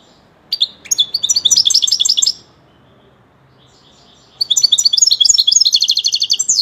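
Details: A kept European goldfinch sings two long phrases of rapid, liquid twittering, fast repeated high notes running about two seconds each, separated by a two-second silence.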